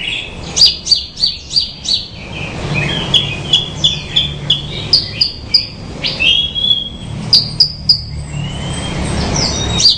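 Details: Bushlark in full song: a quick string of high clipped notes, then varied whistles, buzzy chatter and trills running on for ten seconds, with light background noise.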